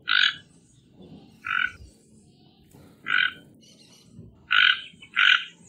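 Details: Series of five rasping toco toucan croaks, the first three spread out, the last two coming close together, over low ambient rumble.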